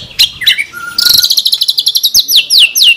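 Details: Murai batu song from a masteran recording of lavish 'tembakan' phrases. Short swooping whistles and one steady mid whistle lead into a fast, pulsed high trill, ending in quick downslurred notes.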